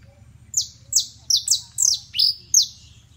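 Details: Singing criollo basto canary: seven sharp, piercing whistled notes, each sliding steeply downward and trailing off, delivered about every half second, one note held flat a little longer, against a quiet background hum.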